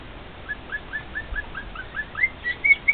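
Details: Pet male cockatiel serenading two other cockatiels: soft upward-slurred whistles repeated about four times a second, then louder, higher, longer whistled notes at the end.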